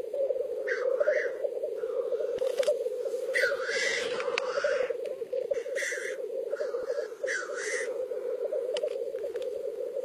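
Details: Black grouse at a lek, a continuous bubbling, cooing rookoo chorus from displaying birds running throughout, interrupted by repeated harsh hissing sneezes with a rising whistled edge, several overlapping.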